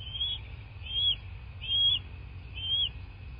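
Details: Bald eagles at their nest in southwest Florida, recorded by nest camera on 2 March 2024; four high, thin whistled notes spaced under a second apart over steady low rumbling background noise.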